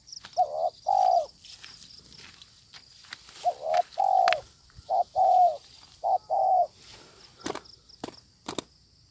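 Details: Fierce wild spotted dove answering a decoy bird in a trapping session, cooing in bursts of two or three low, even notes separated by pauses, followed by sharp clicks and taps near the end.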